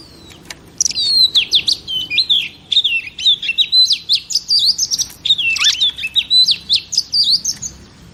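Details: Female oriental magpie-robin used to stimulate males: a continuous, varied high warble of quick whistles, slurs and trills, with faint background hiss.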